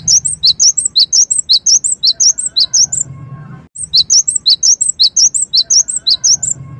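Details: Gelatik wingko or cinereous tit delivering a provoking lure song: two long bursts of fast, regular, very high chirps alternating between a sharp downward note and a higher whistle, separated by a short pause with low hum.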